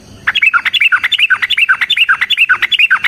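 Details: Yellow-vented bulbul, long fighting song for luring other birds into answering: a dense, fast chattering series of bubbly whistled notes that dip and rise, running without pause for three seconds.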